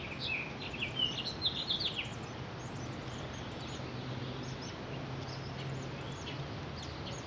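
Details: Male hooded oriole feeding chicks, 18 April 2019, gives a quick burst of high, squeaky chattering notes over the first two seconds, then fades under a steady low hum and background noise.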